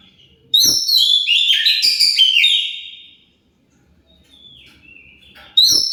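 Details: Oriental magpie-robin (kacer) song used as a lure to provoke other magpie-robins to answer: a loud, rich burst of varied whistled and slurred notes lasting nearly three seconds, then a pause before another phrase begins.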